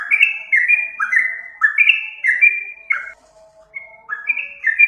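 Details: Yellow-vented bulbul singing, recording used as a bird lure; bright slurred whistles follow one another rapidly, then a brief lull with a faint low tone before the phrase starts again.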